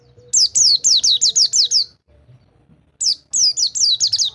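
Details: White-eye song for training birds that no longer sing, with a run of loud, high descending whistles, roughly four per second, a one-second pause, then another burst.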